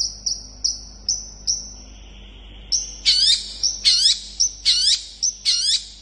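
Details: Long-tailed shrike in fast song used to provoke other shrikes to call back. Thin high whistles and a long sustained tone lead into loud, complex notes with buzzy sweeping overtones, repeated roughly twice a second.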